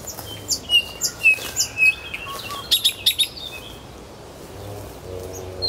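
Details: Nightingale song from Kuzminsky forest park: a quick series of high whistled and chirped notes, a short run of repeated notes, then a quiet pause with faint background.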